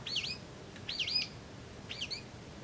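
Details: Brown-eared bulbul calling while drinking juice, recorded 26 April 2012: three short bright chirping notes in quick pairs, spaced about a second apart, over a quiet background hiss.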